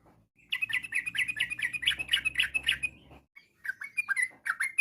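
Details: Yellow-vented bulbul delivering varied rapid-fire song that sets other bulbuls answering: a dense string of rolling, liquid notes lasting about three seconds, a short gap, then scattered looping whistles.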